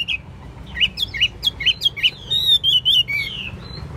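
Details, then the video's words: Caged Chinese hwamei in full song: brisk hooked whistles repeated about twice a second, then a fast warbled trill and a long descending slurred whistle, clear against quiet low background noise. "Hót tốt, Đấu tốt. Siêng mỏ, giọng hay"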